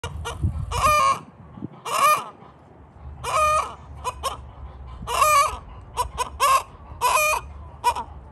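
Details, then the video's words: A rooster clucking: short, harsh, nasal bursts, some single and some in quick pairs, spaced irregularly about every half second to second, with a low background rumble. "Clucking rooster"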